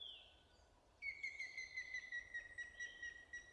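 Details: Short-toed treecreeper in April 2018 at Zabrzeg, Poland: after a brief faint note, a long thin high whistle held level then gently falling, with a harmonic above, over quiet rural background.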